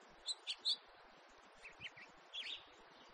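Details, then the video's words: House finch giving short, high chirping call notes in three quick clusters, the first bright and sharp, later ones lower and softer, over a faint steady background hiss. "-ΚΑΡΠΟΝΤΑΚΟΣ- (House Finch Carpodacus 2018)"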